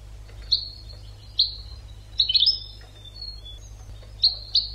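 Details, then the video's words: European goldfinch singing on a training recording for birds: scattered high chirps, a brief tumbling cluster of twittered notes and a few thin whistles, with a quiet background hum. "CD ekpedeutiko.karderina (educational goldfinch)"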